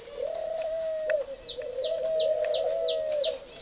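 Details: 'Mỏ đinh' spotted dove at a breeding garden in Ba Vì, northern Vietnam: a long, steady low coo with a short break, while sharp, high, downslurred chirps from other birds repeat about three times per second.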